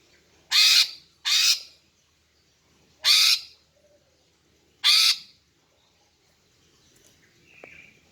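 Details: Female greater green leafbird giving harsh lure calls for males: four rasping squawks at irregular intervals over a low background hum, followed by a faint short whistle.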